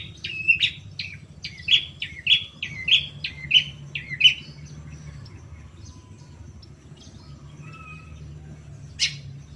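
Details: Long-tailed shrike song used as a stimulus to provoke a caged bird to sing: a series of short, sharp, rising chirps repeated about every half second, then quieter faint notes and one final harsh burst; low background hum.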